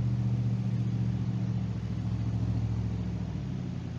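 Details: Loud, constant motor rumble with a deep humming drone throughout, no animal voices.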